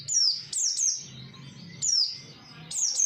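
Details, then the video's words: Oriental white-eye lure song meant to draw replies from other white-eyes: bright, piercing down-slurred whistles in quick clusters of two or three, then a short pause before the next cluster, with faint low hum beneath. "pancingan pleci 100% nyaut"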